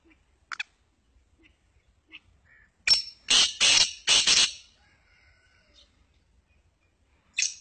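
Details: Black francolin of the Sindhi type giving its loud harsh call, a grating phrase of three or four rasping notes packed close together, with faint chirps before and a single sharp note near the end.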